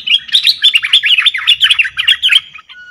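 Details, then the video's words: Cream-vented bulbul call played as a trapping lure, a loud, rapid, continuous chatter of bubbly rising and falling notes that fades out at the end. "Suara pikat merbah lekir"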